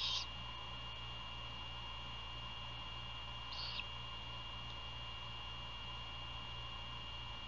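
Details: Great horned owl during a night prey handover at a nest near Savannah, Georgia, 27 February 2022, 1:38 AM, camera recording; two short rasping screeches about three and a half seconds apart, otherwise only steady hum.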